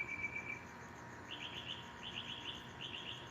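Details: A Northern Mockingbird, said by a viewer to be a male singing at night to stake territory and attract a female, sings in quick bursts of three or four bright, high chirps under a second apart, over a faint steady hum.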